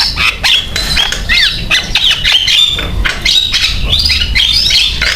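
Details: Energetic Javan myna song meant to draw other mynas into singing, a rapid jumble of scratchy squawks and bright upswept whistles running without pause over a low background hum.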